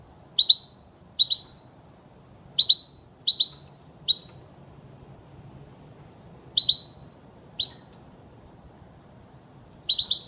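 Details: ['European goldfinch heard in a training recording for chicks, giving single and paired high, bright chirps spaced irregularly over ten seconds, with longer gaps between some notes.']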